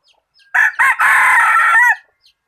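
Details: Decoy chicken used for catching birds, valued for its good voice, crowing once: two short clipped notes, then a long, loud, steady drawn-out note ending in a brief falling inflection, in an otherwise quiet setting.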